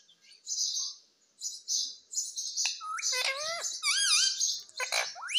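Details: Talking Indian ringneck parakeet kept as a pet in India: hissing rasps build into a run of quick, wavering harmonic squeaks and swooping squawks near the end.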